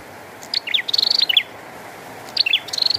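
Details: Bar-winged prinia in rain, giving two bright, high song phrases: quick chipping notes followed by a rapid, ringing trill, with the continuous patter of rain heard throughout.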